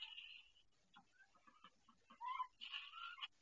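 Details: A female duck on a nest she built, calling in pain while laying her first egg: raspy, nasal calls, a harsh buzzy burst at the start, scattered short soft notes, then louder hoarse squawks near the end.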